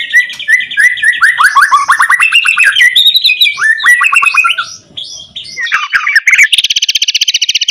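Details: White-rumped shama singing loudly, used to provoke other shamas into song: a rich run of clear whistled and slurred notes, fast chattering phrases, ending in a rapid, buzzy, evenly repeated rattle.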